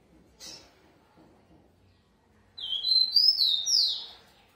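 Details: Caged rufous-collared sparrow, bred at a breeder and praised as fast: after a click and quiet background, a sweet whistled phrase of several slurred notes descending in steps.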